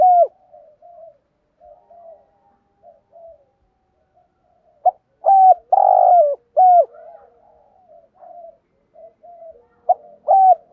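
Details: Spotted dove (Spilopelia chinensis), challenge coo: provoking rival males to fight.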